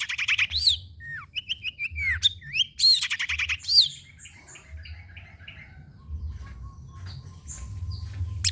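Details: Long-tailed shrike song, used as a lure recording to prompt hesitant shrikes to sing: a quick varied run of sharp rising and falling whistles and chirps over about four seconds, then softer scattered notes and a faint steady tone.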